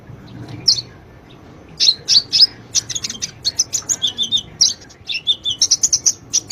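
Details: Kolibri ninja sunbird (konin) in full chattering song, a master for training caged birds: a few isolated high chirps, then a rapid unbroken stream of sharp twitters and short down-slurred whistles.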